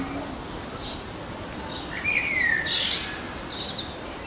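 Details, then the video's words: Common blackbird in a garden delivering a song phrase: a low, warbling fluty note that falls gently, then a rapid burst of high, scratchy twittering notes, with faint chirps from other birds beforehand. "Blackbird Song"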